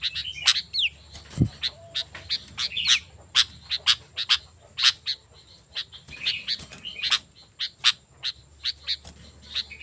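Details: Sooty-headed bulbul sound used as a lure to call wild bulbuls and as a tutor for caged ones: scattered sharp broadband chips with a few short falling whistles, irregularly spaced, over a low steady hum.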